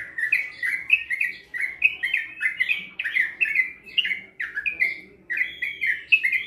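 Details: Young Sooty-headed bulbul from Bandung, March 2021, in extended 'ropel' singing: bright, bubbling two-part whistled phrases repeated in quick succession, with short gaps between bursts.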